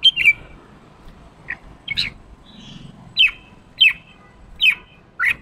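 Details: A red-whiskered bulbul gives short, bright, slurred "ché" notes, some harsh and chattering, about every half second to second against a quiet background; the recording is used to provoke a young caged bird and a fired-up male into singing.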